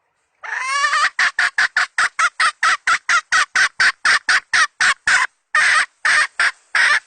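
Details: Decoy hen, a chicken used to lure birds in the 2020 season. A rising harsh note leads into a long, fast chain of more than twenty clipped clucks at an uneven pace, with a few gaps near the end.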